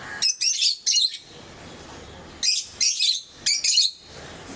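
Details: Pet lovebirds of various colour mutations, recorded in 2022, giving shrill, high-pitched chirping calls in two clusters of three quick harsh bursts, separated by a quiet pause.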